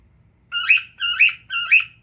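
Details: A single family pet cockatiel sits looking at itself and calls three times. Each bright chirp has two tones, bending upward and then falling away, spaced about half a second apart in a quiet room.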